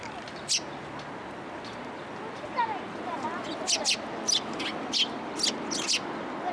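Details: Sparrows coming to a post to be fed at a Tenmangu shrine on 22 October 2022; short, sharp, high chirps repeat unevenly, now single, now in quick pairs, over a steady murmur of background noise.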